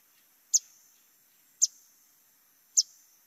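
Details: Yellow-throated Vireo call note, a woodland species nesting in DuPage County: three sharp, high call notes about a second apart over a faint steady hiss.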